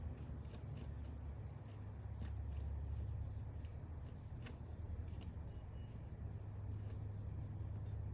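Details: A steady low rumble like passing traffic fills the background, with a few faint clicks and no animal voice.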